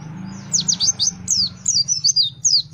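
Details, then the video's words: Gacor fighter pleci white-eye in shooting song: sharp, high, downslurred whistles in quick bursts over a constant low hum. "The sound of the Gacor fighter pleci bird shooting"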